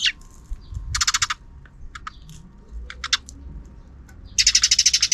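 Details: Sparrows calling in the afternoon near a camera: short, fast rattling bursts of harsh chirps separated by quieter single notes, ending in a longer rhythmic chatter, with a faint low hum beneath.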